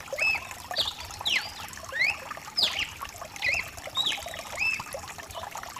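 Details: Mutation cardinal singing over steady rain: clear whistled slurred notes, some rising and some falling, in quick irregular phrases about every half second, with trickling water hiss beneath.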